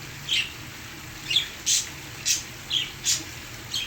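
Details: Pet parakeets singing to waterfall sounds, giving about seven clear squeaky chirps, evenly spaced roughly every half second, over a steady hiss and faint low hum.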